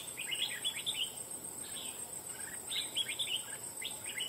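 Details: Wild red-whiskered bulbul, trapped for fighting after nearly two months of attempts, singing loudly: quick bursts of bright warbled, chirping notes in short clusters, with a steady high insect hum throughout.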